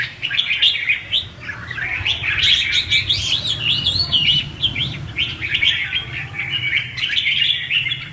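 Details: Red-whiskered bulbul lure song in the "ché" style, used to stimulate singing and for trapping: eight seconds of energetic, dense whistled chatter with sweeping upward notes, over low background hum.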